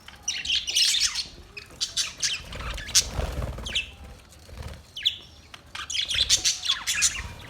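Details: Parrot squawks and chirps come in irregular bursts, harsh high notes with short downslurred squeaks, separated by quieter pauses.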